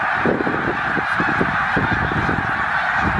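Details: Snow geese in a migrating flock of around 100,000 at Middle Creek Wildlife Refuge; a short burst of dense, overlapping honks with low pulsing rumbles throughout.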